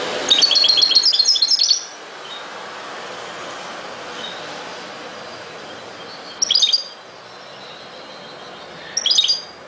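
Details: European goldfinch delivering a quick, sparkling trill of high notes, followed after pauses by two brief clipped twitter bursts.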